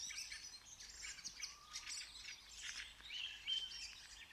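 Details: Birds singing outside, a busy chorus of high chirps, trills and thin whistles, with one brief lower whistled note partway through.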